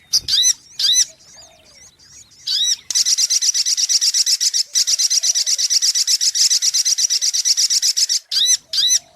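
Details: Sunbird (sogok ontong) lure song opens with scattered sharp down-slurred chips, then a long, loud, high-pitched buzzy trill of rapid pulses, ending with more separate chips.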